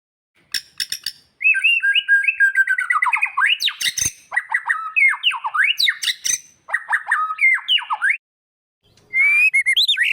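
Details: Magpie-robin song used as training audio for a caged bird that has stopped singing: a rich, varied run of whistled, slurred notes and quick rising and falling phrases, with brief pauses between bursts.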